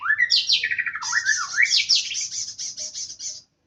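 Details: Wild male white-rumped shama in full song, a loud varied stream of looping whistles and rapid trills, then a long run of quick high chattering notes.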